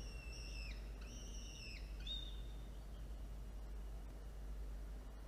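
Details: Falcon at a nest during a prey delivery and feeding of two young chicks on 13 October 2022, early afternoon: two drawn-out, level, harmonic wails, then a shorter rising note, followed by quiet background hum.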